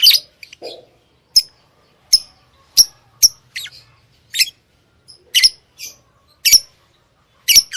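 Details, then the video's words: Shrill lovebird chirps repeat about every half second to a second, each one brief and harsh, with faint twittering in between. "Love bird Singing and Chirping sounds|| Amazing sound of love bird"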